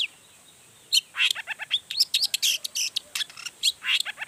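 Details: Energetic long-tailed shrike song used to make other shrikes answer: a short pause, then a continuous rush of scratchy, buzzy notes and high chips with barely any gaps.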